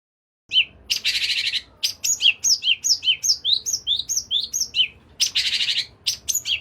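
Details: Toed priyangan song played as a lure to get a caged bird singing: rapid, varied whistled and chirping notes, many per second, between two harsh buzzy bursts near the start and end.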